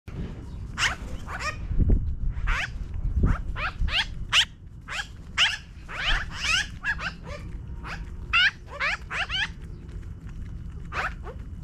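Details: Magpies in a tree, flying down from it, giving harsh, scratchy chattering calls in irregular bursts, several strident notes close together, over a low background rumble with occasional thumps.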